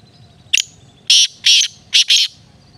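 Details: Black francolin calling: a quick sharp click, then four loud, harsh, grating notes over about one and a half seconds, the last two closely paired, with a low background hum.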